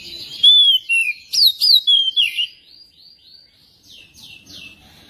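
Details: Song of a magpie-robin used as a lure for singing: a clear sweeping whistle followed by rapid loud slurred notes, then softer repeated upward-curving whistles fading out.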